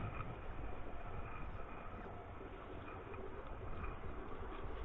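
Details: Low, even rumbling noise like distant traffic runs throughout, with no clear animal voice.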